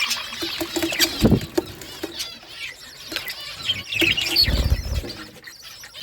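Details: Pet budgerigars chirping and talking to each other: dense, rapid warbling chatter with scratchy, twittering notes, broken by soft low thumps and wing flutters near the second and fifth seconds.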